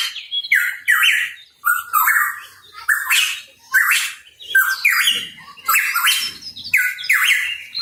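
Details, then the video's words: Hooded pitohui, known in Indonesia as cucak rawa papua, chirping actively: a string of harsh, buzzy notes that rise then drop sharply, about ten in under eight seconds, unevenly spaced, with no other sounds. "Cucak Rawa Papua Gacor | Pitohui Bird Chirping"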